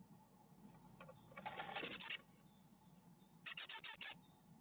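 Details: Nesting great tits at Ostwald, 14 May 2021, fledglings departing, via webcam: a long scratchy rapid chatter, a pause, then a shorter clipped series of pulsed notes over low hum.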